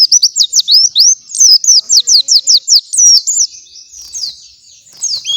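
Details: White-eye morning song meant as a master song for other white-eyes, a steady rapid train of high, downslurred whistles followed by softer chatter and a few rising notes.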